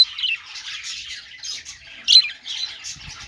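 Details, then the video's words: A budgerigar gives scratchy, buzzy warbling with a loud sharp squawk about two seconds in, followed by softer chattering notes. "parakeet chirping sounds |Australian parrot singing | budgie sounds"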